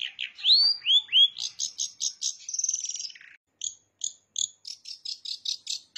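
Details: Long-tailed shrike in strong song with bar-winged prinia mimicry. It opens with clear rising whistled swoops, then a rapid buzzy rattle, and ends with evenly spaced sharp high chips, about four per second.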